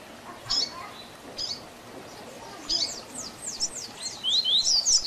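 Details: Double-collared seedeater, Tui Tui Zel Zel song style used to teach young birds, starts with a few isolated high chips, then builds into a quick series of sharp slurred notes and rising whistles.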